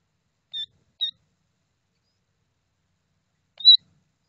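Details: Killdeer (Charadrius vociferus) female tending her hatchlings: two short, shrill, high notes half a second apart, then after a long silence a third, slightly louder note. No other sounds are heard.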